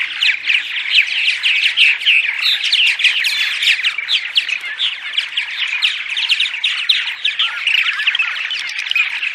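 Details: Dense morning chorus of purple martins, played to attract martins to nest houses, with rapid gurgling, chirping and croaking notes running together without pause; no other sounds stand out.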